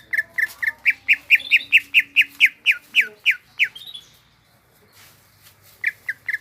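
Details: Greater green leafbird in full song with a rapid string of about fifteen bright, slightly downslurred whistles at three to four per second. A pause with a soft higher note follows, then three more chirps.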